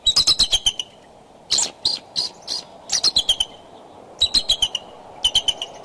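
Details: Decorah bald eagles courting near the nest, 9:30 am, 2 February 2012, with lots of calling. Quick bursts of shrill, descending chattering notes alternate with short pauses and isolated sharp chirps.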